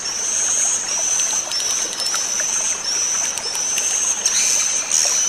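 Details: Twittering swiftlet 'inap' lure meant to relax the birds: a constant shrill, high chirring band broken into quick upward-sliding chirps about every half second, with scattered clicks and a soft watery hiss.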